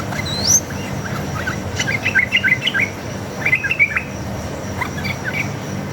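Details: Yellow-vented bulbul from the forest in vigorous fighting 'ropel' song, meant as a lure to make other bulbuls answer. Fast clusters of chattering whistles follow a high rising whistle from another bird, over a low hum.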